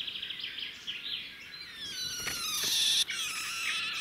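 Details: Red-backed shrikes at a nest beside a road in the wild: the male brings a grasshopper and the female feeds it to the chicks. Dense, high, chirping calls, with some rising sweeps and a louder burst near the end.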